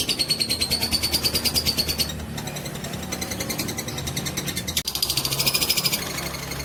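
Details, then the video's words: Fighter lovebird's long ngekek, a trill meant to provoke rivals: harsh pulsing chatter with a thin whistle above, a brief softer patch in the middle, then the rapid rattling resumes strongly. "Pancingan love bird fighter durasi panjang"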